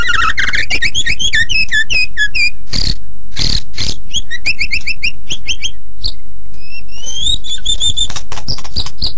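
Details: White-rumped shama in full, lively song meant for other birds to copy: a long sequence of varied whistles, trills and harsh scratchy notes, with sharp clicks and brief pauses between phrases.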